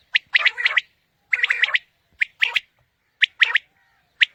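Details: A quail calling, used for morning quail hunting, gives harsh, squawky phrases of three or four quick notes, repeated roughly once a second with short pauses between bursts.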